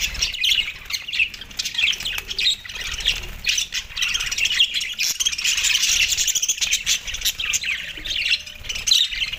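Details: Australian budgerigars chirping over soft food on December 4, 2023; a long, steady stream of warbling chatter, squeaky chirps and harsh squawks from several birds at once.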